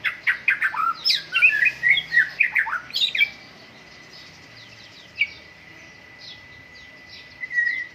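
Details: White-rumped shama during morning dew airing, opening with a rapid series of harsh chattering and whistled notes for three seconds, then near silence broken by two short calls.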